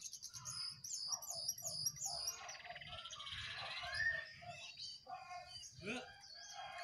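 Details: Wild and caged sooty-headed bulbuls singing against each other: rapid bursts of bright chirps and slurred whistles, some repeated in quick rising-falling notes, with a short upward-sweeping note near the end.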